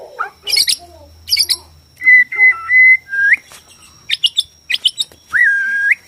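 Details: Bornean white-rumped shama song, meant to stress other shamas into answering and fighting: loud clear whistles held flat and rising, mixed with short high chirps and quick sweeping notes, over a faint steady high whine.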